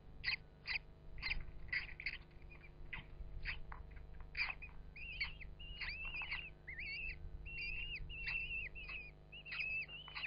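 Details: Common kestrel nesting in a Yorkshire Dales field barn ventilation hole above Hubberholme, Langstrothdale; scratchy rustling bursts give way to a fast series of wavering, whistled calls repeated several times a second.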